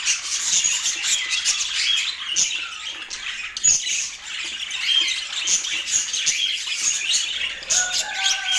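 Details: Budgerigars kept as pets in Portland chatter and squawk in a busy high stream; a few lower, longer tonal notes appear toward the end.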